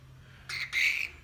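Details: Pet musk lorikeet giving a harsh, shrill two-part screech, a short burst then a longer grating note, in a quiet room with a low steady hum.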